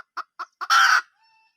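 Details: Three short, evenly spaced clucks from a wild junglefowl hen build into a loud, rough squawk lasting about a third of a second, ending in a faint thin tone.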